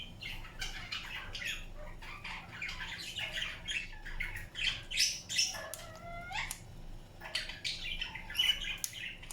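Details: Indian ringneck parakeet grinding its beak, giving a fast series of gritty, crackling clicks several times a second, broken by a few soft whistled and squeaky chirps midway.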